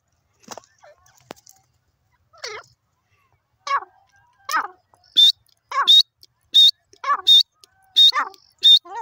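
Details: Grey francolin calling: after a few quiet scattered notes, a rhythmic series begins, with loud, sharp high notes alternating with lower rasping notes and repeating about every 0.7 seconds. The series grows stronger toward the end.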